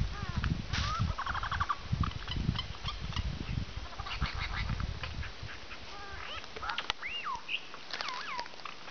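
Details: Lyrebird about an hour from Melbourne, Australia, mimicking pigs with low, rough, snorting grunts, like a wild pig's snort, and short nasal notes, then clear looping whistles that swoop up and down.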